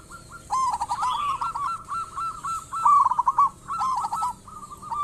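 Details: Active local zebra dove song, used as a lure to trigger singing in other doves: a long run of soft, evenly spaced coos with one rapid stuttering burst near the middle.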